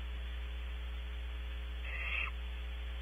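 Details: Barn owl owlet in a nest box at Audubon Starr Ranch, California, filmed by a nest camera: a single short, rasping hiss lasting under half a second, over a steady low electrical hum.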